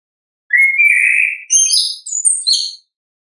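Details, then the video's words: Single orange-headed thrush phrase in ngeplong style: a steady whistled opening, then rising buzzy notes climbing higher into thin, very high trills, lasting about two seconds. "ANIS KEMBANG GACOR, pancingan suara asli alam anis kembang"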